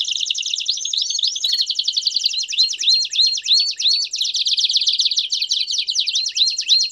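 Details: Canary performing campainha song with chirps for tutoring young birds; a fast, high trill broken by series of upward-curving whistled notes repeated about three times per second.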